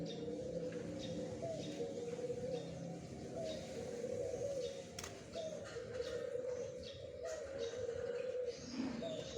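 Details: Zebra dove singing in the morning, dated 01-04-2021: soft, low rolling coo phrases repeated steadily through the recording, over background noise with scattered clicks and faint chirps of other birds.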